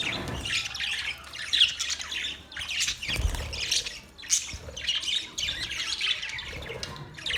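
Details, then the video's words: Colony of budgerigars chattering together; dense high chirps and scratchy warbled notes in repeated bursts, with low background rumble. "Budgies Parrot colony Parrot colony setup Parrot Talking Parrot video Parrot chirping sound"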